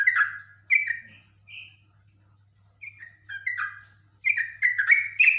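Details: Yellow-vented bulbul (Pycnonotus goiavier), highly agitated, gives long bursts of bubbly, slurred chattering notes in quick runs, pausing briefly between phrases, over a faint low electrical hum.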